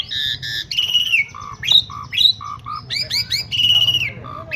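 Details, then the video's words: Asian pied starling singing loudly in a varied phrase. It mixes clear whistled notes, falling slurs, short low chucks and harsh squawky bursts. Faint human voices murmur underneath. "jalak suren super mewah"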